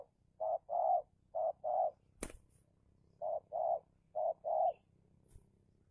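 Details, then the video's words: Spotted dove serving as a lure in a territorial battle against a wild dove, Indonesia: two short paired coo phrases, the second note of each longer and fuller, a sharp click between them, then quiet. "Pikat Tekukur (Take down Tekukur Liar)"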